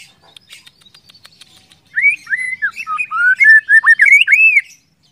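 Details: White-rumped shama (murai batu) song to trigger other shamas to sing: a fast, continuous stream of varied looping whistles lasting about three seconds, after faint high chirping.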